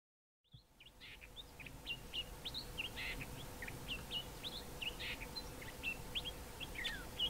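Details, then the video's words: Male Common Fiscal on Mountain Drive, Grahamstown, singing a quick run of varied whistles, chirps and harsh notes, about three or four a second, mimicking fynbos birds such as Wailing Cisticola and Cape Grassbird, over a steady low hum. "Common Fiscal male singing and mimicking some fynbos birds"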